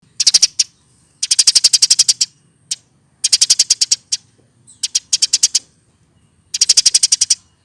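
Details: Eurasian tree sparrow, hand-raised from a fledgling and over a year old, singing in rapid bursts of sharp high chirps, each burst about a second long with short pauses between.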